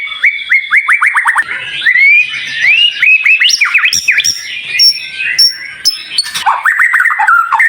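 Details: Sharp, high-pitched white-rumped shama tutor song: a fast run of downslurred whistles, looping warbles, brief high pure tones, then another rapid burst of dropping notes.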